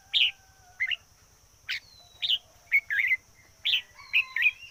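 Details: Red-whiskered bulbul kept as a decoy bird, singing short loud warbling phrases of two to four notes roughly once a second, with a faint whistle from another bird, a low pulsing buzz and a steady high tone.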